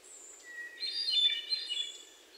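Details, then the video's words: Hermit thrush song recorded June 29, 2023 in Sudbury, Massachusetts, on a Sony PCM D50 with lavalier mics; a pure introductory whistle, then a shimmering cluster of overlapping high, bell-like notes, with another bird faintly in the background. "Hermit Thrush & Other Birdsong"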